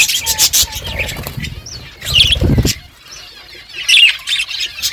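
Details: Feeding budgies chirp and twitter in short bursts, with a loud low rumbling noise in the middle and a quieter gap before the high chatter returns.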